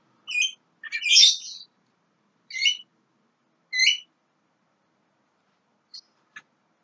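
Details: Young Javan myna making a few separate rasping, harmonic calls spaced about a second apart, one longer scratchy note among them, then two faint clicks in silence.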